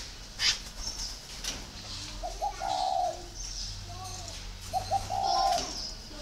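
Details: Spotted dove at a northern Vietnam dove garden in Ba Vì delivering two mellow phrases about three seconds apart, short stuttered notes followed by a drawn-out coo, with occasional high chirps and clicks.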